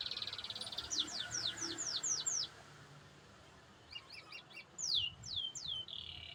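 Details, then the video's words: Canary (AF type) singing vigorously: a series of six quick high descending whistled sweeps, a pause, then short stuttered notes, more downslurred sweeps and a buzzy trill, over a faint background hum. "Kenari AF Gacor"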